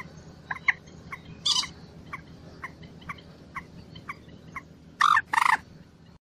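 Common moorhen giving a run of short, clucking kek notes about three per second, broken by loud, harsh, gurgling croaks.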